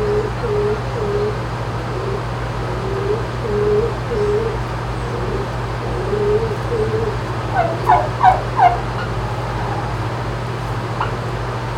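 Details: Rescued turkeys in a barn at a farm sanctuary in upstate New York, at dawn on 19 July 2018: a run of soft, low, evenly spaced notes, then a burst of louder, higher, rattling gobble-like calls, over a steady mechanical hum.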